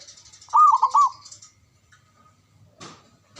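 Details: One bubbling phrase of looped coos from a male zebra dove, then near quiet broken by two dull knocks, with a faint high buzz early on.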